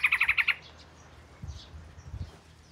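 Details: Oriental magpie-robin, southern form, the first at the house, gives a quick series of five sharp chirps at the start, followed by quiet low background noise.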